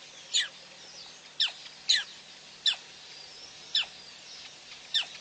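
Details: Six abrupt downslurred squeaks from a female black crake at PP, dated 9/6/11, each starting very high and falling fast, repeated roughly every second with uneven spacing.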